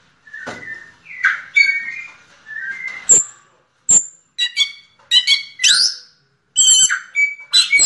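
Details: Diamante negro song of the yellow-legged thrush: clear whistled notes and sharp high clicks mixed with rapid twittering figures, given in short phrases separated by brief silences.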